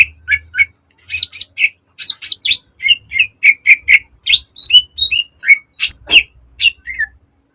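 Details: Green leafbird, caged, in rich lure song for training birds: quick, jumbled whistles and chirps in varied phrases, nearly continuous, with faint low hum at times.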